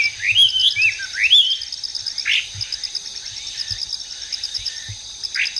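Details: Chinese hwamei in the wild opening with loud looping, slurred whistles, then a few shorter separated notes, against a continuous shrill insect buzz.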